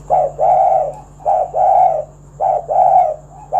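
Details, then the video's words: Lively 'kuk 1' calling song of a spotted dove, played to prompt other doves to sing. Three deep, soft coo phrases, each a brief opening note then a drawn-out rounded coo, spaced about one second apart against a low background hum. "Tekukur Kuk 1 Gacor Suara Panggilan Burung Derkuku agar Bunyi Gacor Manggung"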